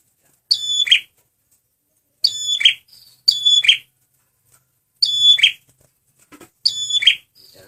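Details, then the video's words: Lure song of a male red prinia (prenjak merah): five sharp phrases of high whistled notes ending in a harsh buzzy rasp, given at uneven gaps of one to two seconds, with faint low rumbles between them. "SUARA BURUNG PRENJAK MERAH PEMIKAT GACORRR"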